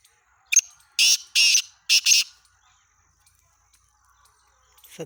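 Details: Black francolin calling, recorded 17 February 2023: a harsh, grating series of five loud, rasping notes delivered in quick succession over about a second and a half, then quiet with faint background chirps.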